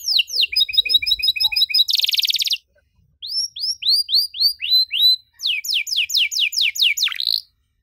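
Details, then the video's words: Canary singing a varied 'cengkok mewah' song for young canaries to learn: fast stuttering note clusters and a dense buzzy burst, a pause, then rows of rising-falling whistled slurs and sharp descending strokes. "KENARI GACOR DORR NEMBAK PANJANG, CENGKOK MEWAH COCOK BUAT KENARI MUDA BELAJAR BUNYI"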